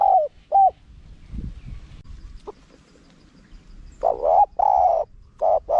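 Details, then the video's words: Small-voiced spotted dove singing a wild karom pa phrase, used to attract wild doves: two short coos, a gap with faint low sounds, then a run of longer, richer coos and a final clipped note. "เสียงนกเขาใหญ่ คารมป่า (เสียงเล็ก) มีขัด มีหนุน คูอ่าง"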